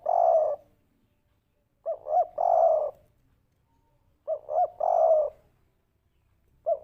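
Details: Three-part spotted dove coo of the 'kuk 3' style, played as a lure to draw replies: two quick looping notes, then a drawn-out mellow coo, repeating roughly every two and a half seconds against a still background.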